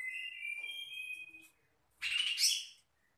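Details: Magpie-robin answering song meant to draw other magpie-robins into singing: long steady high whistled notes, a pause, then a loud harsh buzzy burst.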